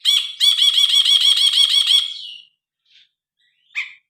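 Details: Grey-cheeked bulbul, recorded on a phone and used as a training song for other birds: a loud, rapid run of repeated looping chirps for about two seconds, trailing off, then a brief faint note and one short sharp call.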